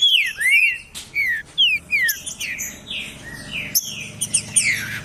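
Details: Green-winged saltator song meant to warm up a cold, unmotivated saltator: clear whistled slurs, some falling and some rising, given in quick succession, with fainter chirps and whistles layered behind.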